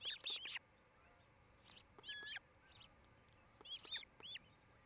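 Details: Osprey pair at their nest in Charlo, Montana, on 8 July 2018 around 5 pm, picked up by a nest camera: bursts of sharp, high, arched whistled chirps in quick clusters at the start, middle and end, with quieter gaps between.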